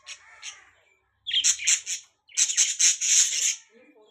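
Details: Budgies chirping: bursts of harsh, buzzy chatter with bright high squeaks, broken by short silences, with some softer warbled notes at the start and end.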